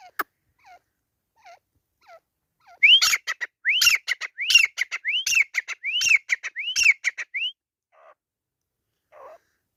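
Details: Fighting grey francolin. A few faint soft notes lead into a loud series of rising whistles, each followed by quick clipped notes, repeated steadily for about five seconds before fading back to faint sounds.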